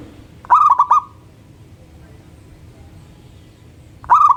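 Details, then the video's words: Morning song of a local zebra dove: a brief bubbling phrase of three cooing notes with a short held tail, a pause of about three seconds, then the next phrase begins. "Perkutut Lokal Gacor Manggung dipagi Hari bikin yang lain ikutan BUNYI."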